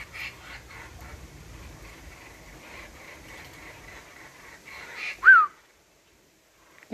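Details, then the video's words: Young laughing kookaburras being hand-fed minced heart with omnivore mix, trying to laugh: soft, buzzy, raspy notes repeated about twice a second for five seconds, then a sharp falling whistle and a woman's voice calling. "Baby Kookaburras feeding and trying to laugh."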